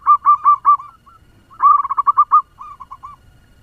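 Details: Zebra dove lure bird singing quickly to rouse other doves, with loud bursts of rapid, bubbling ringing notes, a pause, another burst, then softer trailing notes.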